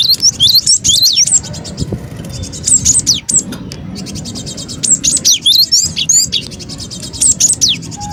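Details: Bird-trapping lure recording of cinereous tit, described as noisy: clustered high, quick down-slurred and zigzag chirps in frantic bursts separated by short gaps, with a soft low background hum.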